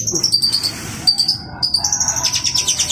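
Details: Long-tailed shrike singing actively: strings of very high, thin trilled notes with a short pause midway, then a rapid, pulsing trill at the end; a low background hum.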